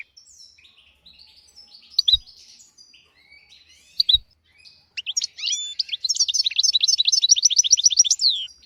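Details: European goldfinch singing as a tutor recording for young goldfinches and canaries, starting with soft scattered twitters and two sharp clicks, then a fast, bright run of repeated tinkling chirps.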